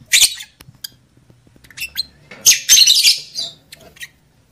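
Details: Lovebird call to stimulate mating condition: a sharp screech, scattered clicks and chirps, then a dense, grating burst of high chatter, over a faint low hum.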